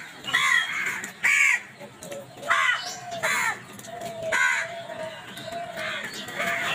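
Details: Crows fighting over food: a series of hoarse, grating caws spaced about a second apart, some doubled, over a low hum and fainter calls behind.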